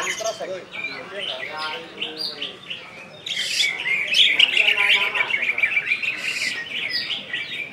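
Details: Greater green leafbird from West Kalimantan in ngentrok style: rattling, chattering notes open the phrase, then after a short lull a loud, dense outpouring of shrill whistles and rapid twittering.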